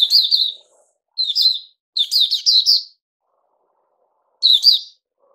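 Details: A Puteh Raja bulbul, a caged songbird, sings short bright warbled phrases separated by pauses of about a second or longer, the middle phrase a rapid run of chirps.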